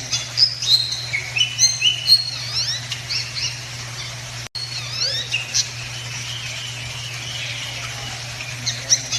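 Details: Bali myna, an endangered bird from Bali, Indonesia: clear whistled notes, some rising and some falling, given in quick bursts of two or three, with a steady low hum beneath and a brief break midway.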